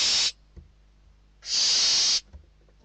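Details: Barn owl chicks inside a nest in Spain contest a food delivery of a bird; a hiss ends at the start, then one long, rasping, steam-like screech of nearly a second, with faint knocks around it.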